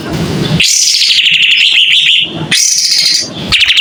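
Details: Kapas tembak white-rumped shama in full song with its tail spread: after a brief low rumble, a long ringing whistled phrase with rapid trills, then a second bright phrase and a short final note.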